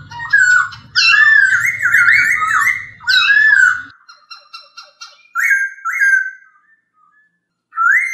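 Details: Masked laughingthrush (poksay hongkong) song for training kept birds: rich warbled whistles in a loud opening run, then a quick series of soft clicks and two more short whistled phrases after a pause.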